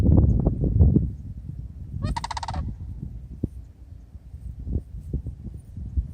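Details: Sandhill crane calling during a flyby at Lake Wales, Florida: a single rolling, harmonic-rich call lasting about half a second, set against heavy low wind rumble and scattered thumps.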